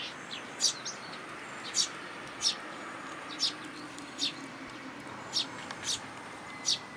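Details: Sparrows gathering at a plum tree feeding spot at a Tenmangu shrine, 2 July 2022, coming for food; short bright chirps repeated roughly once a second, with faint steady background noise.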